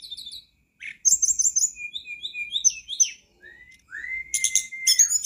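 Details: Tledekan gunung (flycatcher) song used as a master recording to prompt a caged bird to sing: varied high whistled phrases, short repeated notes and rising sweeps, with bursts of rapid chirping.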